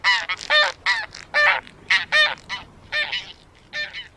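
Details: Loud nasal honks from taiga bean geese, delivered in irregular pairs and triplets with short gaps, rich harmonic notes overlapping as more than one bird calls.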